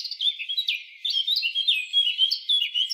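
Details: Wild Eurasian blackcap with a lively, rapid warble of slurred whistles and chirps, delivered in quick pulses roughly four times a second.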